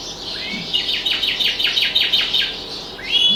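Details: Domestic canary singing while other birds call outside the window: a steady series of rapid downward-sweeping notes forming a rolling trill, ending in a rising whistled slur.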